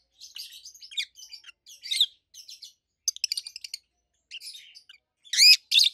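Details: Rapid, restless chatter of two adult pet rosy-faced lovebirds: quick trains of high buzzy chirps and tweets, ending in two loud, sweeping shrill calls.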